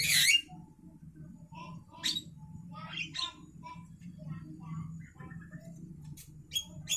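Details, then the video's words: Javan myna at midday: a loud harsh squawk opens, followed by scattered short whistled and chattering notes with pauses between, over a faint low hum. "suara asli Burung jalak kerbau Siang Hari"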